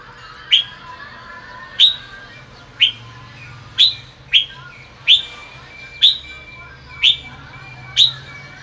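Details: Afternoon sunbathing red-whiskered bulbul producing 'bọng' song: a steady series of about nine sharp, bright single chirps roughly one per second, some paired closely, above a low background drone.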